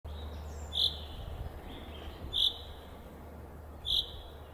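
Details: A chaffinch falling asleep gives three short, high chirps, each about a second and a half apart, over a low steady hum.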